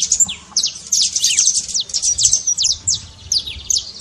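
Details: Trincado song of a saffron finch, meant to fire up a silent bird: fast jumbled high chirps and sharp downward-sweeping notes in quick runs, separated by tiny pauses, over a soft low hum.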